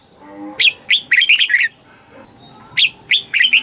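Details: Red-whiskered bulbul from Thailand singing a southern master-pattern phrase, played to excite birds and train chicks. Two bursts of five or six liquid, bouncing whistles in quick succession, a little over two seconds apart.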